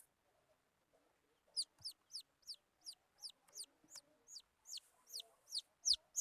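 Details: Wild chicken chicks giving a series of high, sharply falling peeps, roughly three per second after a quiet opening, with faint low rustling and clicks in the background.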